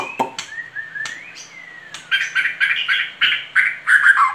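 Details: Singing murai batu (white-rumped shama), gacor, 2021: two long, gently rising and falling whistles, then a rhythmic series of harsh, scratchy bursts repeated about three times a second.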